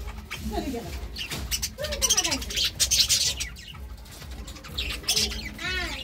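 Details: Budgerigar pair giving chirpy warbles: arching squeaky notes and bright high chirps, some bursts of harsh chatter, with low background hum.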